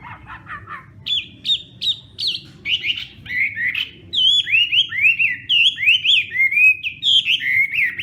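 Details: Hwamei training its voice with a fighting-style morning song: soft stuttering notes open, then strong looping whistles repeated steadily about twice per second.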